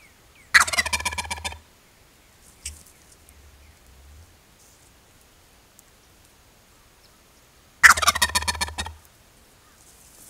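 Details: Male Osceola wild turkey gobbling twice, about seven seconds apart: each is a loud, rapid, rattling burst lasting roughly a second. Quiet low thumps fall between the gobbles, and the background is otherwise calm.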